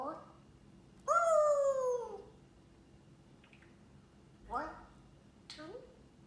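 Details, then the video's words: Multilingual pet parrot, indoors, singing and talking in English and Arabic: one long drawn-out, slightly falling vocal note, then two shorter rising, voice-like sounds after a pause. "Parrot singing in English and arabic"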